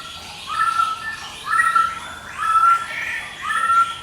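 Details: Medan white-rumped shama singing continuously in ngekek style, used as a lure and master song: four clear, rising whistled phrases, one about every second, over quiet background.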